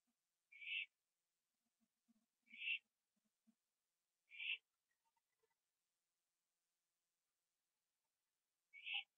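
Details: Owl on a porch at night, 11:15 PM on 21 September 2011, finishing a gopher it caught, gives harsh hissing screeches spaced a couple of seconds apart, with faint soft clicks between.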